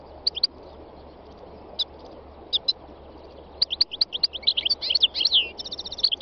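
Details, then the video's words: Wild European goldfinch: scattered single high chirps at first, then a quickening flow of liquid twittering notes ending in a buzzy, rapidly repeated trill, all above a steady low hum. "chant chardonneret sauvage khalwi goldfinch تغريد مقنين خلوي"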